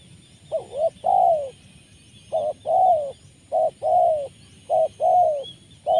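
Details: Rolling coos from a spotted dove at a graveyard trapping point, a voice full of 'rrr': short burred note pairs followed by longer purring syllables, repeated about once a second, with faint distant birds.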